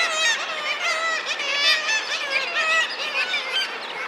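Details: Many thick-billed murres calling together, a continuous din of nasal, quavering honks and groans layered on top of one another.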